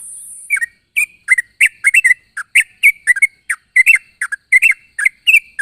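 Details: Sooty-headed bulbul calling to companions in the morning, a continuous chatter of short, bubbly, two-part chirps repeated several times a second, each note sharp and slightly falling, with a thin high whine heard briefly at the opening.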